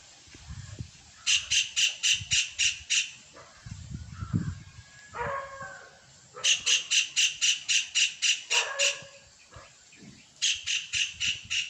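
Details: Kingfisher breeding song: bursts of six to eight sharp, high piping notes in quick even series, separated by pauses, with softer lower chirps and faint background rustling between bursts.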